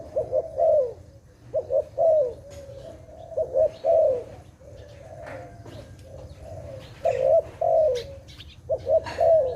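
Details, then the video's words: Dove repeating its soft coo phrase over and over: paired brief rising notes, then a drawn-out trilled coo that falls away. Faint bird chirps and clicks can be heard in the background. "Sound of dove"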